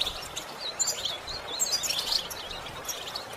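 A goldfinch sings in a fast, high, tinkling twitter of jumbled chirps and trills that run on without pause, over a faint background hiss.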